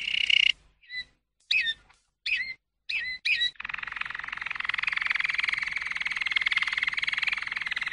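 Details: Malinois canary giving short separate whistled and twisting notes with pauses, followed by a long, dense, slightly noisy rolling trill that continues to the end over a faint background hiss.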